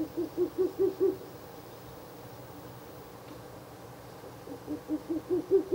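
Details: Ural owl calling by a nest box at night on 16 April 2024, the third visiting night: a fast string of low, bouncing hoots, a pause of about three seconds, then another similar run.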